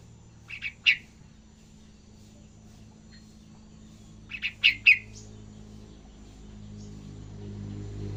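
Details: Juvenile yellow-vented bulbul practising ngacor-style continuous song: two brief bursts of three to four sharp chirps about four seconds apart, then a faint low rumble.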